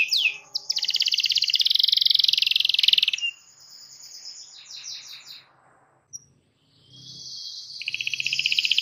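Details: Canary in full song, described as a frequent singer with a rolling song used to draw other canaries into singing: long dense buzzy trill held for about three seconds, softer rattling phrases, a brief pause, then another fast trill.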